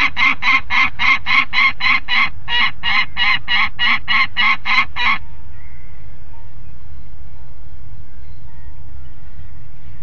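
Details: Two juvenile peregrine falcons on the nest-ledge grating at Alphen aan de Rijn, 17 June 2016, 13:30: a fast run of harsh, harmonic calls, about three or four a second, for five seconds, then only low background rumble.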